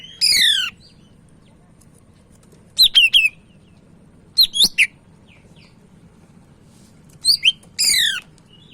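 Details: Sumatran leafbird (cak ijo) of the Medan type, in full lively song: loud high sweeping whistles and steep downslurred phrases in short bursts separated by pauses of about two seconds, over a low steady background hum.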